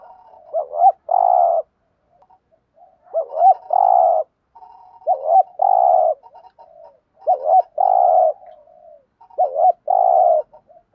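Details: Spotted dove held in a cage as a decoy for wild doves, cooing in a driving style: repeated two-part phrases, a short upswept note then a long low sustained coo, roughly every two and a half seconds, quiet background.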